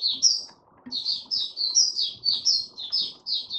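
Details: Buka sing by a white-eye holding its form, recorded 08012022: two high chirps, a short pause, then a fast, unbroken sequence of sweet slurred whistles at about four notes per second.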